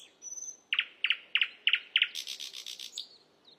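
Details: Asian brown flycatcher singing on a songbird training recording: a high whistle, then five evenly spaced loud double chirps about every quarter second, ending in a rough buzzy rattle.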